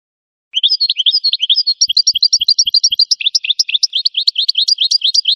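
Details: Sustained twittering song of an American goldfinch: dense, high, rapidly repeated chirps that grow busier and more jumbled toward the end, with a few soft low taps partway through.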